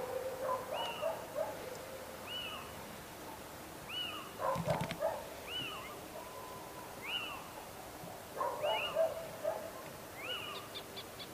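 Little owl giving a series of sharp, yelping mewed notes, each rising then dropping, repeated about every one and a half seconds against faint background hiss.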